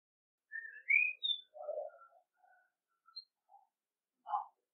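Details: Common blackbird with a clear whistle rising into a high note, then softer low warbling chuckles and a final throaty note.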